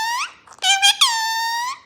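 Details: Talking green parrot speaking Gujarati while someone chats to it in Gujarati: a loud, squeaky, harmonic voice with a rising-then-steady tone, a short broken middle syllable, and one long drawn-out sound in a small room.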